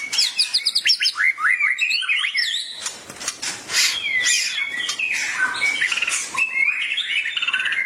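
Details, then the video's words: White-rumped shama song used as training material for caged birds: rapid varied whistled phrases, many repeated in quick bursts, some high slurred notes and harsh buzzy passages, sung continuously throughout. "Tidak disangka murai langsung ikut gacor emosi mendengar masteran ini"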